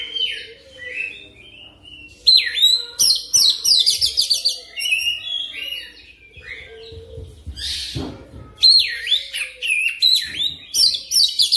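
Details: Oriental magpie-robin lure recording for prompting rapid, rolling song. Soft varied warbling builds into loud, rich, sweeping whistles and clustered chips. A low steady hum runs underneath, broken by a brief harsh burst midway before bright phrases resume.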